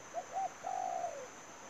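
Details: Close spotted dove used as a trapping lure: two short mellow coos then one long, level coo that drops at the end, over a constant high insect hum.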